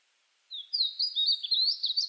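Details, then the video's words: A Painted Bunting sings a quick, sweet, high warble of run-together notes lasting under two seconds, against a quiet background. "What does a Painted Bunting Sound Like?"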